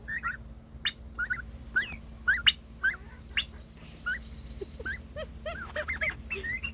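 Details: A domestic turkey gives a run of short, rising chirps and yelps, several a second and some wavering, a new noise made when its sibling got more attention, seeking attention, with a low steady hum behind.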